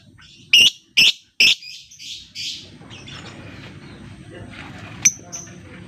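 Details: Lovebird song used as a lure to stimulate silent lovebirds to sing: three loud, grating, high screeches about half a second apart. Softer raspy notes trail off into a low hum with one thin whistle near the end.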